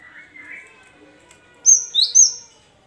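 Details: Cinereous tit luring song for reluctant caged birds: after faint, low background chirping, three bright whistled notes ring out. A high one is followed by a lower sliding one and then a high one again.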